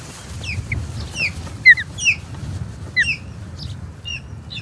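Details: Osprey at the Charlo Osprey Nest on 21 April 2022, skirmishing with an intruding third osprey: a burst of sharp, whistled, downslurred chirps, some paired or overlapping, with a low background rumble.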